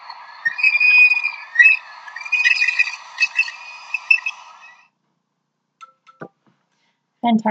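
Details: Bush stone-curlew, a night-calling tropical bird, played back from a phone. For about five seconds it gives wavering, wailing whistled notes that overlap and rise and fall, followed by a few clicks and a burst of applause.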